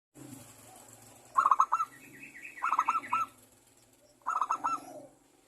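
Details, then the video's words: Local zebra dove singing a lure song meant to prompt other doves to sing: three bursts of rapid, rattling cooing notes, about every 1.5 seconds, each trailing into a softer coo, over a low steady hum. "perkutut lokal gacor suara pancingan perkutut agar bunyi"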